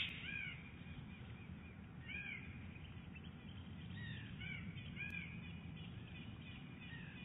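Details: Female bald eagle at Big Bear Lake, 11 January 2018, calling early during nesting and egg rolling: short, thin, high chittering notes in scattered bursts every second or two over a steady low wind rumble.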